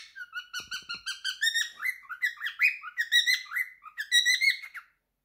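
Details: Three-year-old male cockatiel indoors singing his favourite song: clear whistled phrases rising and dipping, increasingly loud and twittery, stopping just before the end; a couple of faint taps early on.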